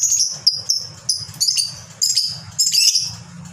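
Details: Fighter lovebird in its long 'ngekek' song: an almost unbroken run of shrill, high, scratchy chatter rising and falling in quick pulses, with a low hum beneath.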